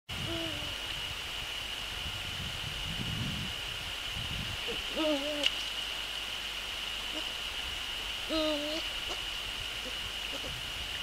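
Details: Male Eurasian eagle-owl at the nest on 29 January 2014, evening between 17:45 and 18:10, preparing the nest for inspection before a prey handover: two low, hollow calls several seconds apart, each level then bending upward, over a steady high electronic whine.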